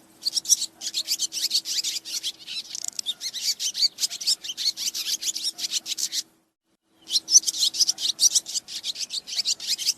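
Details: Swiftlet roosting calls played as a lure, a rapid run of short rasping clicks and twitters in close succession, broken by a brief silence of under a second before resuming, over a faint low hum.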